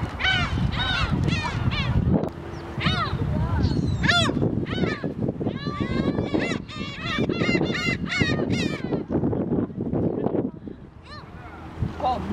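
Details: A flock of gulls crowding to be fed shrimp crackers at the Haengdamdo rest area in Dangjin: many overlapping harsh, yelping downslurred calls in rapid succession, with wind and low rumble beneath.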